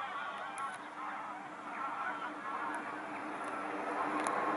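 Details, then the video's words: Geese in a large gaggle passing over Eaton Hall, Cheshire, England, 28 August 2022; a softer, more distant wash of overlapping honks building slightly toward the end, with faint clicks. "A large gaggle of geese overfly the Duke of Westminster's Eaton Hall"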